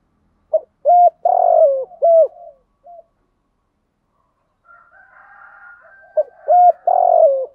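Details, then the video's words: A spotted dove gives two cooing phrases a few seconds apart, each with short notes leading into longer, lower coos and a faint raspy sound between them; recorded as a lure to provoke calling. "chim cu moi thuc gu gay goi"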